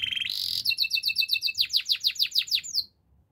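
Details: Canary song: a brief buzzy trill, then evenly spaced double-pitched notes and a series of loud steep downslurred whistles, about four a second, stopping abruptly.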